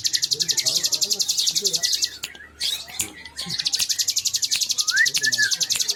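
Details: Bar-winged prinia (Prinia familiaris), song.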